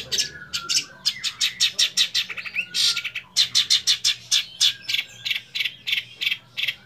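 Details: Young long-tailed shrike delivering rich mimicked song: a rapid, chattering series of sharp, harsh notes, roughly three per second, with brief slurred whistles mixed in, over a low hum.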